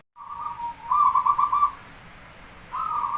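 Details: Perkutut Jawa, the Javanese zebra dove, in lure song: a bubbling, pulsed coo that runs on for about a second, then a pause, then the start of another rolling phrase.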